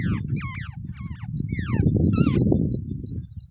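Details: Wild babblers, a pair side by side in the nest, burst into several scratchy, descending nasal notes at the start, then go quiet under a persistent low rumble.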